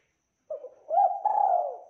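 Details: Actively singing spotted dove with a clear, rich voice: a short low opening note, a rising coo, then a long sustained mellow coo that slowly falls away. Clean, quiet recording.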